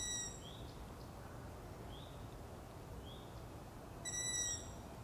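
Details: Nocturnal begging from Long-eared owl chicks, a series of brief high upward-sliding squeaks, with a strong layered tone at the start and again near the end.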